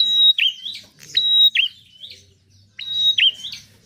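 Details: Bar-winged prinia, locally prenjak, giving piercing high notes: a level whistle followed by a fast downward twist. Three phrases come within four seconds, with a pause before the last, over a faint low hum.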